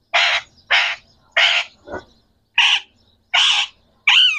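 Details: Three captive green Pakistani parrots talking: a string of short, harsh, raspy squawked syllables, each about a quarter second long, separated by brief silences, ending on a higher, more tonal squeak.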